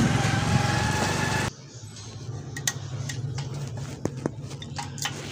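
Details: A loud engine-like roar cuts off abruptly, leaving low hum and scattered clicks and knocks.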